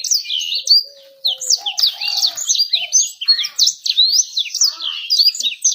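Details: Lure birdsong meant to set birds singing and to attract females: energetic high twittering with sharp rising whistles and trills, a short dip in volume, then dense warbling, over faint lower tones.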